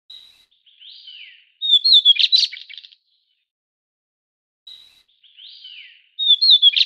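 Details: Mountain-dwelling white-browed shortwing, subspecies goodfellowi, endemic to Taiwan: a phrase of quiet descending slurred whistles followed by a loud, fast, chattering warble, given twice about three seconds apart.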